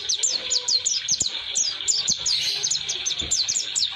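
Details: Pleci, the Oriental white-eye, sings its long-running roll-style song for teaching birds: a steady stream of sharp high chirps, each quickly slurring downward, repeated several times a second without pause.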